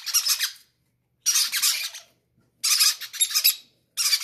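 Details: Greedy parrot chicks begging for food, each wanting to eat first; loud hoarse rasping bursts about half a second to a second long, with gaps of quiet between them, indoors.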